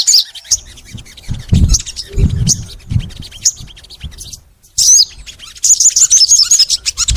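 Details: Crimson sunbird in sustained, vigorous song meant to spur kept sunbirds to sing: scattered high chips over low rustling and thumping noises, then a quick trill of bright, rapidly repeated notes.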